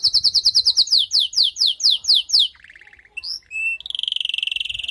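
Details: After moulting, a female canary calls to ready and excite the male, giving a fast series of sharp down-slurred notes, a short low buzz, then a high, evenly pulsed trill.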